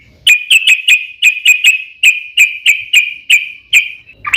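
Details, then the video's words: Yellow-vented Bulbul repeating clear ringing whistled notes roughly three times a second in a long run, a lure to make other bulbuls sing; each note sharp at the start and fading. "SUARA trucukan gacor ROPEL PANJANG pancingan trucukan agar bunyi"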